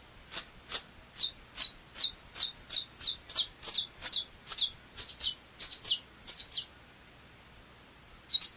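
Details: Saffron finch delivering a quick string of piercing, high, slurred notes that speed along for about six seconds, then a pause of near silence before a short final burst.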